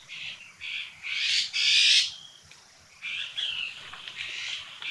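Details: Red-billed blue magpie at Sattal, Uttarakhand, India, giving a run of loud, harsh, high screeching notes in quick bursts, then more rasping calls after a brief pause.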